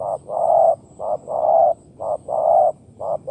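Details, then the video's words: Wild spotted dove jumping out of the grass near a decoy, cooing in soft, low, hollow notes, a short note then a longer one, about once a second; faint high hiss behind. "Gác Cu Gáy / Bổi Nhảy Ra Từ Bụi Cỏ Gù Làm Cu Thủ Hết Hồn"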